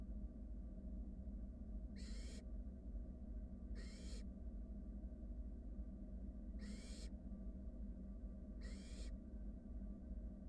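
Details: Wild barn owl nestlings in a monitored nest box, huddling while a sibling slowly swallows a rat; four broad, rasping hisses, each about a third of a second, spaced roughly two seconds apart over a steady low background hum.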